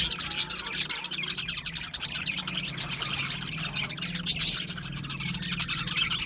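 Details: Budgerigars in a group chirping: dense, continuous chatter of short, high warbled and scratchy notes overlapping without pause, with a faint steady low hum underneath.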